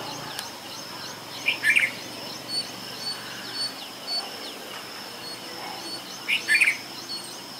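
A Red-vented Bulbul gives two short, bubbly, chirpy phrases about five seconds apart over a steady high insect-like whine and faint background noise.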